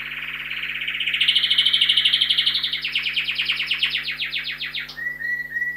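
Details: A canary kept indoors in a home study sings a rapid, rolling trill of bright, high notes that speeds up and climbs, then ends in a few clear whistles; faint indoor hum beneath.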